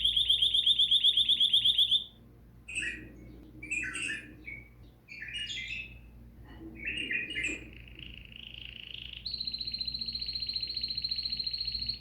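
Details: Bulbul song used to encourage bulbuls to sing: a fast, even trill of sharp notes, then scattered bubbly chirps and warbles, ending in a long, steady, buzzy high note, over a low background hum.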